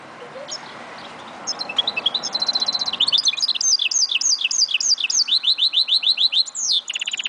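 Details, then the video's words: Goldfinch mule, 2011, starting softly, then building into crisp chattering notes and a long series of repeated, evenly spaced swooping chirps, closing with a downward sweep and a brief buzzy trill. "Mule Goldfinch"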